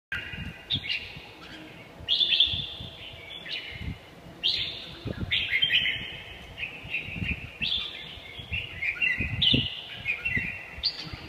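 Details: Red-whiskered bulbul singing: repeated short, bright warbled phrases, falling slightly and coming every second or two, over a steady background of low knocks and rustling.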